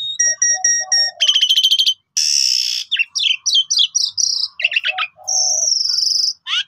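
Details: Pied myna singing to lure other birds into song: repeated ringing notes with low nasal honks, a fast rattle, a long harsh hiss, jumbled whistles and a sustained high buzzy note.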